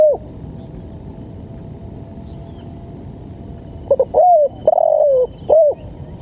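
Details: Spotted dove voice for luring and training birds: after a quiet stretch, a loud close phrase of two short notes, a drawn-out falling coo and a final short coo, with soft background hiss.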